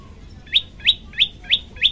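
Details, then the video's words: Five sharp upslurred chirps from a prenjak lumut tailorbird, each note rising quickly and spaced about a third of a second apart, from a master recording of the bird singing vigorously. "masteran handal prenjak lumut gacor variasi"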